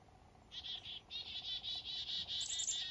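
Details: Morning fog up north, a black-capped chickadee repeating a quick train of about a dozen harsh, buzzy dee notes, ending with higher thin notes layered over the series.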